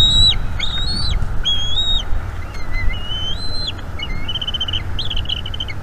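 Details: Bald eaglet on a wild nest in North East Florida, calling as its mother feeds it squirrel on a May 2021 evening; high whistled chirps, some flat and some rising, in quick bursts with a low rumbling background.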